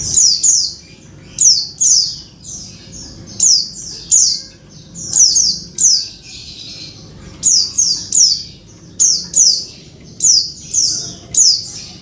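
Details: Female Oriental white-eye calling for the male, to get a quiet male singing again; steady train of high, slurred-down buzzy notes, mostly in pairs, about one pair each second.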